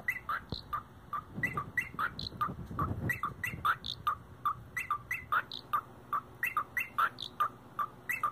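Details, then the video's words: Male cockatiel kept as a pet, doing an impression of 1990s rave techno: short bright chirps and whistles repeated in a steady, beat-like rhythm, about two notes a second, some notes climbing higher, over a faint low hum. "European Techno Birb"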